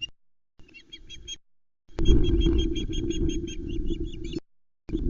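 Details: Three osprey chicks at the Loch Arkaig nest on 19 July 2020 during delivery of a whole trout; quick series of high piped notes, strong low wind rumble throughout, a sharp click near two seconds.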